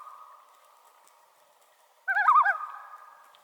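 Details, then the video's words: Common loon tremolo: a fading steady tone gives way after two seconds to a loud, rapidly quavering, laughing wavering call with a rich harmonic voice, lasting about half a second before trailing off. "Common Loon Tremolo"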